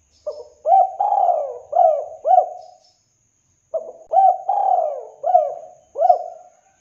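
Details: Spotted dove singing actively, a clear, full-voiced recording meant as a lure for other doves: two cooing phrases, each a soft opening note, then rounded rising-falling coos around a long drawn, sliding middle note, separated by a second's pause.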